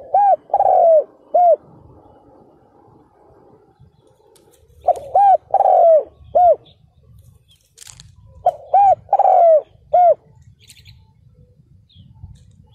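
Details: Spotted dove used as a ground decoy to lure wild males, 2022. Three phrases of deep, rounded coo notes, each with a long falling middle note between short hoots, separated by quieter pauses with faint rustling.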